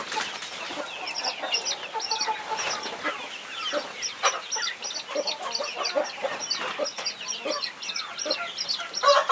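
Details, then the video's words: Busy brood scene: 21 chicks cheep continuously in thin, high notes while their protective mother hen adds scattered low clucks underneath. "Mother hen protecting her 21 Baby chicks"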